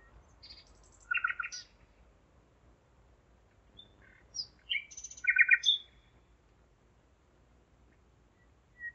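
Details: Nightingale singing at night, 01:55 on 5 May 2017, Zeitz, Germany: short separated phrases of buzzy, rattling repeated notes and brief whistles, with quiet pauses between bursts.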